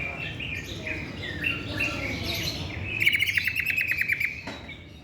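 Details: Greater green leafbird in song: varied slurred whistles and warbles, then a rapid, evenly repeated series of sharp ticking notes for over a second before the song trails off.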